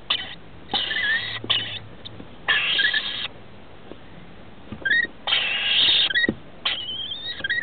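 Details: Rainbow lorikeet chicks, 21 and 17 days old, in a nest inside a house roof as the parents arrive to feed them; harsh, wheezy bursts of about half a second to a second, with short rising squeaks and trilled notes between them.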